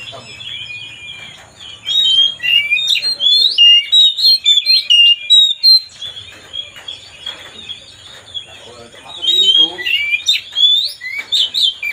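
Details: Oriental magpie-robin song played to provoke another bird: varied clear whistled phrases, rising and falling slurs with sharp chips, delivered in a lively run, pausing around six seconds before resuming with similar bright, twisting notes.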